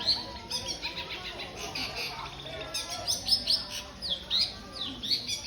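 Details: Long-tailed shrike (cendet), whose song is said to push its price up, gives short, high, sharp notes repeated in uneven clusters throughout, over faint background talk.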